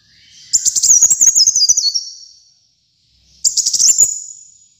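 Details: Lively kolibri muncang sunbird: a faint rising lead-in, then a rapid high chattering trill with stepped falling notes fading away, and after a gap a second brief twittered burst.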